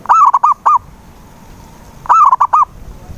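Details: Zebra dove lure call to make a silent dove sing, close and loud: two phrases about two seconds apart, each a fast rolling series of five mellow cooing notes, quiet background.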